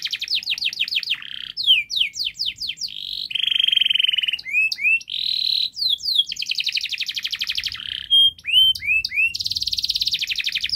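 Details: Canary song, long, quick and dense, for training young canaries to sing: varied trills, steep slurred notes and buzzy rolls in quick succession, with a faint low hum near the end.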